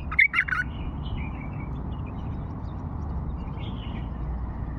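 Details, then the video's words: A single loud, quick warbled phrase from an old Fao bulbul opens the recording, a tight cluster of clear notes. A steady low rumble follows, with faint softer notes afterward. "اجمل لغات بلبل فاوي قديم"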